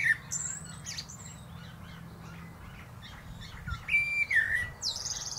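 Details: A common blackbird on a plum tree top sings sparse phrases, a clear falling whistle and thin high squeaks, with long quiet stretches and low hum between.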